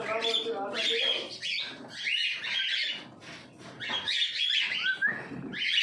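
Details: A small breeding pair of yellow-sided conures giving soft, chattering, raspy chirps and squawks, mixed with short rising squeaks, in fairly continuous bursts.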